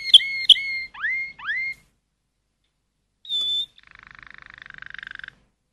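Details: Malinois canary singing: sharp clicks, then upward-swooping whistled notes, a pure steady whistle, and a soft rapid bubbling trill held for over a second.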